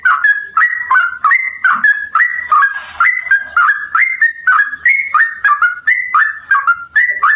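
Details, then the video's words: Long, fluid song of a sooty-headed bulbul likened to the straw-headed bulbul, offered as a lure for other bulbuls; bubbling whistled phrases, each rising then dipping, repeat steadily, with a brief noisy rustle partway through. "trucuk Gacor rasa Cucak Rowo"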